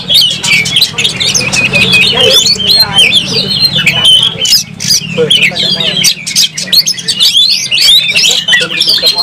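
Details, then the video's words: Oriental magpie-robin fighting with tail fanned sings a fast stream of high whistles and chirps, while a low murmur like distant voices runs underneath. "Kacer gacor langsung tarung buka ekor bongkar emosi"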